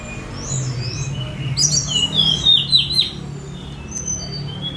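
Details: Spotted Sunda robin released outdoors, phone recording: a run of bright, wavering whistled notes sliding downward in the middle, softer high tones before and after, over a constant low hum.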